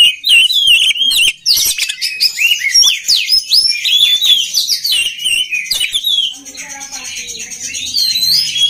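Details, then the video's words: Oriental magpie-robin song used to train other magpie-robins to sing readily: a dense, fast run of loud whistled notes, sharp slurred chirps and harsh buzzy bursts, the phrases turning quieter and thinner toward the end. "SUARA KACER PALING DI CARI UNTUK MELATIH MENTAL KACER LAIN AGAR CEPAT GACOR"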